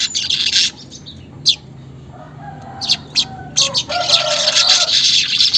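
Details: Weaver song, used as a lure to get caged weavers chattering quickly: a loud buzzy sizzle opens, short clicks and ticks follow, then a sustained wheezy, hissing chatter with rapid pulses fills the final second and a half.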